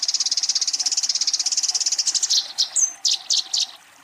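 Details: Eurasian tree sparrow fighting and calling a rival: rapid high chirping chatter, roughly ten notes a second, for two seconds, then breaking into separate sharp chirps with one thin whistled note.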